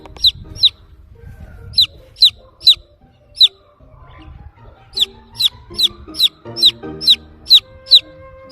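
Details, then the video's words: Young chicken calling for its mother hen with piercing, descending cheeps, scattered at first, then a fast regular run, while gentle music plays underneath. "baby chick sound | chirping | looking for mother hen"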